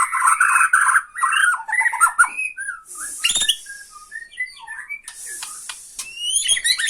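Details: Tretekan song of a Bornean white-rumped shama challenging a rival: dense warbling chatter opens, then thinner scattered whistles and clicks with hissy high rattles between phrases.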